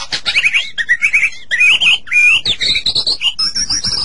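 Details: White-rumped shama tutor song for encouraging captive birds: a rapid, dense warbling run of short buzzy and twittering notes, climbing gradually higher toward the end with little pause.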